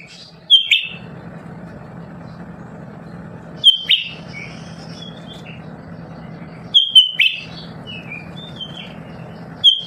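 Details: Lesser green leafbird singing nonstop in a home, kept to stimulate other birds into song. It gives short bursts every few seconds: a piercing whistle, a rough slurred note, then soft warbled twitters, all over a constant low electrical hum.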